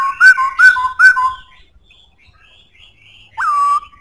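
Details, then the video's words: Black-throated laughingthrush in strong voice, three quick looping whistles repeated about every 0.4 seconds, a quiet pause with faint warbles, then one sharp upward-jumping whistle that falls and holds steady. "Khướu bạc má hót cực hay,giọng khỏe"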